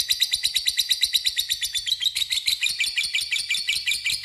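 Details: Lovebird giving a long ngekek chatter, used as a lure to call a rival: a fast, even stream of high, buzzy notes, roughly three per second, running throughout with slight pitch drift.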